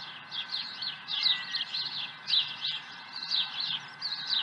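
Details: Morning osprey at the Dunrovin Ranch nest with an early catch, 30 April 2020: piping, wavering chirps in rapid groups of three to five, each group swelling and fading every half second or so.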